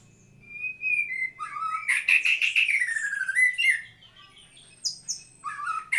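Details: White-rumped shama, murai batu, singing: a long steady whistle, then a loud rich phrase of sweeping notes over harsh overtones, quieter fragments and high thin notes at the end; low hum beneath.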